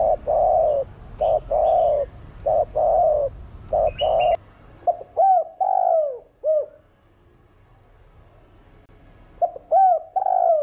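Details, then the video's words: Spotted dove of the 'thổ đồng' voice delivering a full cooing sequence to spur other birds: rapid run of low blocky coos about every half second, then arched, hooked notes, with a few high chirps from another bird. "Cu Gáy Giọng Hạp Bổi THỔ ĐỒNG Đủ Bài [ GÁY GỌI + THÚC + GÙ ] Kích Bổi Gáy"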